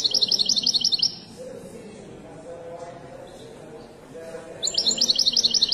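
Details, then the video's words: Widani-style song of a Moroccan goldfinch: a quick burst of sharp, repeated high twitters, then a lull with faint murmuring in the background, before the rapid tinkling phrase resumes near the end. "تغريدة طائر حسون ويداني مغربي"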